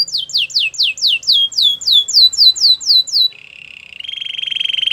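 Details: Belgian canary singing a series of about a dozen evenly spaced falling whistled notes, then a dry low buzzing roll that grows louder.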